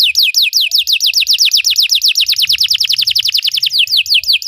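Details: Belgian canary singing for canary training, continuous rapid down-slurred whistles repeated about three per second, briefly tightening into a faster roll before slowing again.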